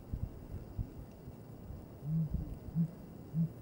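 A Sooty grouse gives three very deep, soft hoots about two-thirds of a second apart, with a few low thumps and rustles before them.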